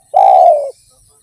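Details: A single long, smooth coo from a spotted dove singing in the derkuku tanpa kuk or kuk 1 style, steady in pitch and easing down at the end, on a clean quiet background.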